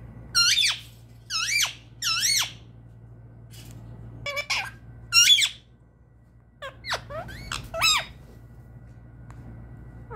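An Indian ringneck parrot repeats a squeaky, high-pitched two-syllable word, "mitu", in bursts about a second apart, over a faint indoor hum.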